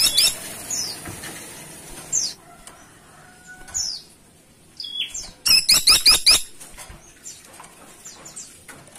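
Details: A woodpecker (caladi tikotok) gives sharp, high squeaky notes, then a quick burst of about six loud, clipped calls with rapid rattling strokes before falling quiet.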